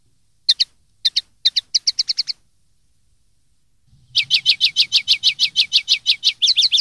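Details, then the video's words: Tutor song of a common linnet, recorded in 2013 for young birds to learn: paired clipped notes speeding into a short twitter, a pause, then a long rapid run of repeated chirps. "cd educar pardillos noveles 2013"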